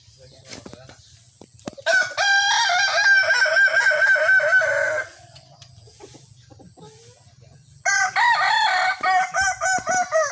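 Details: Kukuak balenggek rooster at a sparring crowing contest: a long, loud, sustained crow with a steady ringing tone for about three seconds, a pause, then a second crow broken into rapid, stepped, repeated syllables.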